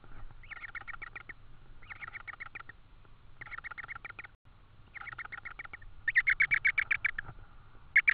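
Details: Tawny owl nest in Estonia, 4 May 2013, evening, while food, an insect, is brought again. Groups of quick high ticking chirps recur every second or so, growing louder and harsher toward the end.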